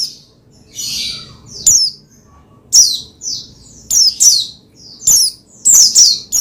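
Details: Pleci, the Oriental white-eye, singing to encourage another bird to sing: a rough buzzy squeak, then a run of high, sliding chirps in quick clusters toward the end.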